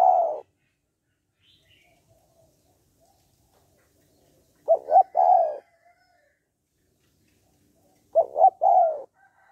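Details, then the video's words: Spotted dove cooing in the "hạp bổi" voice style, used to stimulate males to call quickly: three low, mellow coo phrases about every 3.5 seconds, each two short pulsed notes then a longer hoarse note, with silence between. "Tiếng Cu Gáy Giọng Hạp BổI - THÚC Kích Bổi Nhanh Nổi"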